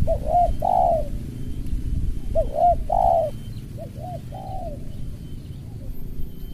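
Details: Spotted dove used as a lure (pikat) facing a rival, in the tight, rasping 'suara rapat ngeruk' style; mid-pitched hollow coos come in short groups, with some notes falling at the end, over low rumbling background noise.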